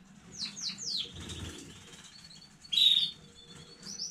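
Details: Home-bred young canary recorded 15 May 2019, singing: a quick run of three high descending slurred whistles, a short pause, then a loud sharp note and a brief high trill, with faint rustling underneath.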